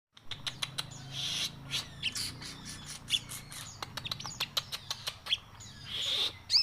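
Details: Javan cochoa singing in the chattering crewet style. Short, high chirps and whistled notes come in scattered bursts over a steady low hum, with a few brief sweeping phrases near the end.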